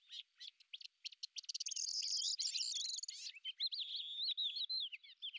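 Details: Lesser grey shrike on the hunt: scattered clicks speed up into a dry buzzy rattle, followed by a run of bright, wavering whistled phrases.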